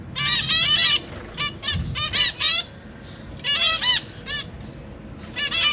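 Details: Zebra finch family in a cage, parents feeding newborn chicks with three juveniles nearby, September 2023; groups of loud, nasal, honking calls in fast runs with short pauses, a soft thump midway.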